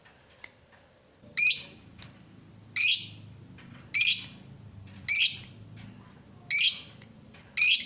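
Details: Lovebird, a fighter-type bird, calling to prompt other lovebirds into long ngekek singing; harsh, buzzy chirps repeated roughly every 1.3 seconds over a low steady hum.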